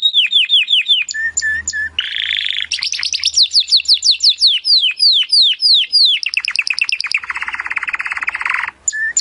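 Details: Song of a Timbrado canary, used as training material for canaries: falling slurred notes, short level whistles, then a long run of rapid downward sweeps and a dense low rolling trill, with a faint low hum underneath.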